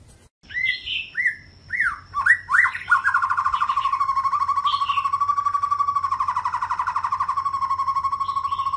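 A young white-rumped shama gives a few rich, whistled phrases, then a long, fast, buzzy trill held at one pitch. A faint, steady high tone runs underneath.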